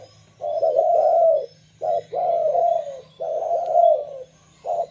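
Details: Zebra dove of a local strain, recorded as a lure for wild birds of its kind, giving repeated phrases: a brief staccato coo, then a drawn-out, vibrating, gently falling purr, about two phrases in five seconds.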